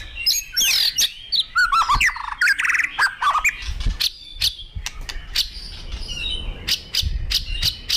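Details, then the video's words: Excitedly singing white-rumped shama, Indonesia: a dense medley of tumbling whistles, rattles and hard clicking notes, later sparser sharp ticks over a soft thudding background. "Murai batu emosi gacor"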